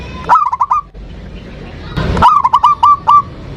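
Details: Local zebra dove, in a 'ndudut' variation song meant to call and anger a rival. Two phrases of staccato, hooked cooing notes over steady background rumble and hiss, with a noisy burst before the second phrase.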